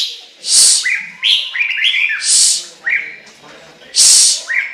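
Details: Chinese hwamei song: bright, rising and falling whistles alternate with harsh, noisy high notes, in a busy, rhythmic flow of phrases.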